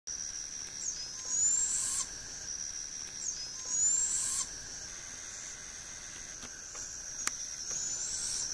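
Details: A barred owl fledgling in Liberty County, Texas, on 7 August 2012, gives harsh, hissing begging screeches that rise at the end, each about a second long, every two to three seconds over a steady high insect drone.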